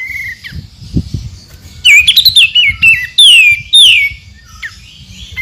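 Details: White-rumped shama song recorded as 'tembakan' tutoring material: wavering liquid whistles, a bright downward-sweeping phrase repeated twice, then a short sliding note over faint low rumble.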